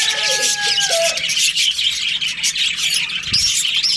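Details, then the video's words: Breeding-season budgerigars in a colony: the tail of a rooster crow fades in the first second, then continuous high, busy twittering and chirping from many birds, with occasional sharp squeaks. "Cute budgies chirping sounds | beautiful budgies breeding season"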